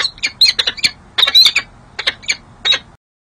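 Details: January 13, 2024 at San Jose City Hall, California: a female peregrine falcon flirting with her mate on the nest ledge; dense, loud squawky chattering in fast clusters of sharp, harsh notes, ending abruptly.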